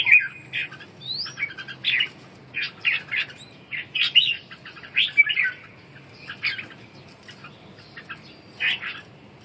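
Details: Red-whiskered bulbul calling ché during a wing dance: separate harsh, buzzy note clusters spaced about a second apart, with an opening upswept whistle and quiet gaps between them.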